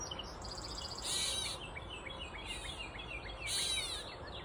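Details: A Grey Catbird perched on a mulberry tree at Side Cut Park gives harsh, hissing, mewing calls in two bursts, with scattered chirps from other birds and a constant low background hum.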